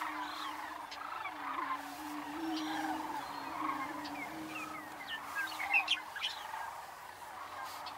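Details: About 30 male Greater Prairie-Chickens lekking at first light on a misty mid-March morning on Nebraska upland prairie, no females present: steady low hollow booming with overlapping cackles, whoops and squeaky calls, cranes and meadowlarks in background.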